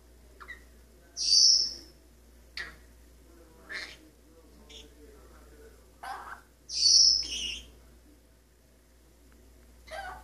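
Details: Pet male Maximilian's pionus parrot indoors on a kitchen faucet, practising scales and song fragments: a series of short sharp notes broken by two loud, shrill, drawn-out notes about five seconds apart, with quiet pauses between.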